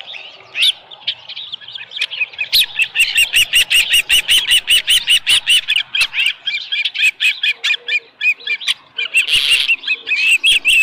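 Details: At the Dunrovin Ranch osprey nest, 7:10 a.m. on 13 July 2018, with a live fish: a long, steady run of high whistled chirps, about two or three each second, ending in a louder squealing burst.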